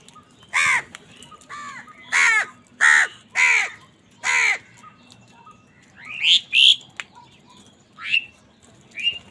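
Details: Crows fighting for food, calling angrily: a run of harsh, hoarse caws in bursts, about ten over nine seconds, some doubled, the later ones higher and more strained.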